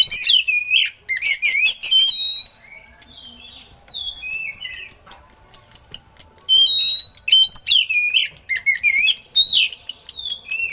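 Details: Oriental magpie-robin singing with eagle-call imitations to train other birds: a long varied medley of harsh rasps, swooping falling whistles and fast chattering notes, with a brief quieter stretch of high thin whistles.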